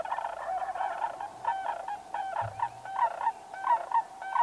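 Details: Sandhill cranes calling with rolling, trumpeting notes: overlapping rattled, bugling pulses repeat rapidly and steadily throughout, rising and falling in loudness, with a brief low rumble in the background midway.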